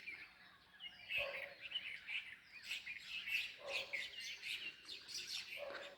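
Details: More than 50 sparrows in a big tree with red flowers, chirping constantly in overlapping bright high notes with quick twittering bursts, no steady rhythm, faint background hiss.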